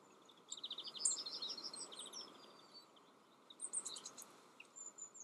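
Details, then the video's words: Yellowhammer song from the Eifel, Germany: a fast series of identical high, thin notes lasting about a second, followed by scattered sharp chirps and a few short note bursts against a steady low hiss. "Yellowhammer. Goldammer."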